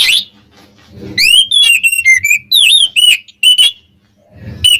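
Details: Kacer, the Oriental magpie-robin, singing a provocation song for rival birds: a continuous run of sweet, looping whistles and quick trills, with soft low background bumps before and after.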